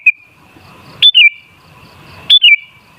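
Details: Sooty-headed bulbul recording used as a lure to make other bulbuls sing boldly; two short bright whistled phrases, each a high note dropping in quick steps, about a second apart, over a faint steady hum.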